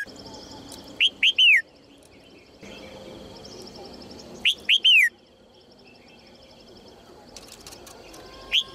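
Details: A female red-whiskered bulbul calls to coax males into singing. Ringing three-note whistled phrases of two short upward chirps and a drawn-out falling whistle repeat roughly every three and a half seconds, with a third phrase starting at the end over a low steady hum.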